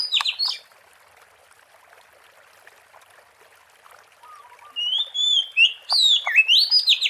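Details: Oriental magpie-robin singing in the wild, for luring birds: a brief loud note at the start, a silent gap, then a varied phrase of whistles and quick rising sweeps near the end.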